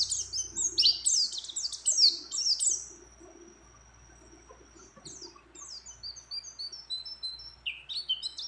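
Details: Female mountain white-eye in breeding condition calling a male: rapid high twittering phrases of sharp descending notes, a long thin steady whistle near three seconds, then quieter scattered chirps and trills.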